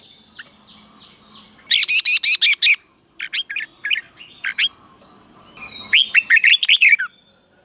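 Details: Red-whiskered bulbul, a caged bird, singing a 'double' song style played for other birds to copy: a fast burst of bright warbled notes, a pause, a few scattered chirps, then another lively descending run of whistled notes.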